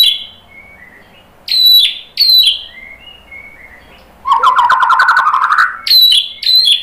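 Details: White-rumped shama song used to trigger singing in other birds: soft low warbles, sharp high downslurred whistles, and a loud rattling buzzy trill midway.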